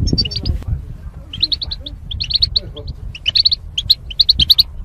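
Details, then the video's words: Goldfinch song used to stimulate caged songbirds: a rapid, jangling run of bright, high, tinkling twittering notes with brief pauses between bursts, over low background rumble. "Goldfinch Chirping Sounds"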